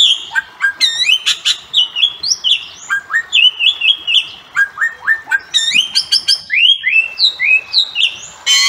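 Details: Bali myna calling: loud, varied whistles and chattering notes, many rising or falling, in quick bursts roughly every half second with brief harsh clicks.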